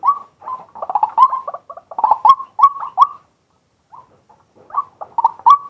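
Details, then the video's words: Live daytime recording of a male white-breasted waterhen: bursts of hoarse, rising croaks follow one another rapidly, broken by a short pause before a final cluster of calls. "เสียงนกกวัก ตัวผู้ ต่อกลางวัน"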